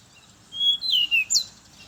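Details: Morning song of a brown-chested jungle flycatcher, a lure for others of its kind: a level whistle stepping up, then a wavering down-slide and a sharp high final note.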